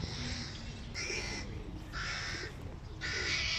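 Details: Young hooded crows, hungry, beg as the father brings food: four rough, grating squawks about a second apart, each roughly half a second long, with a low rumbling backdrop.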